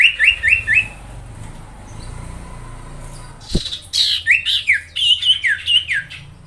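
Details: Sirtu song for training other songbirds: a quick series of high chirped notes, a quiet gap with a single click, then a run of rapid rising-and-falling high chirps.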